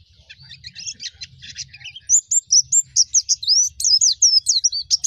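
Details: Wild white-eye song meant to rouse young white-eyes, opening with soft scratchy twitter and rising after two seconds into loud, looping whistled notes delivered in quick succession.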